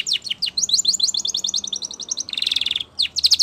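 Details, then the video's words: Spanish Timbrado canary pouring out a fast metallic trill of short notes, then a dense rolling buzz and renewed sweeps, with faint background hiss. "Canary Training Champion Song !! Canary Bird Sound"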